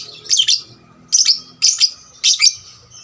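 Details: Lovebird lure song, meant to provoke other lovebirds to sing; four shrill, raspy bursts of clustered high chirps, each lasting about a third of a second, roughly one per second in a quiet room.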